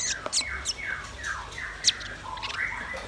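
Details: Red-billed nuthatch and white-rumped shama in full song: a string of clear whistles, each sliding downward, mixed with short sharp high notes, in a flowing varied phrase.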